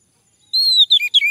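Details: Male orange-headed thrush song meant to make a bird sing: a long clear whistle followed by two quick falling whistled notes, fluty and bright, ending abruptly.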